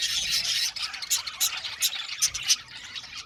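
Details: Budgerigar colony in an aviary: busy high-pitched twittering with harsh squawky notes, then a string of distinct sharp chirps spaced about every third of a second.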